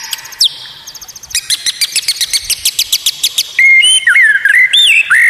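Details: Murai batu training recording of rare, odd song to rile opponents: a high buzzy note, then a fast series of sharp clipped notes about four per second, followed by rich looping whistles.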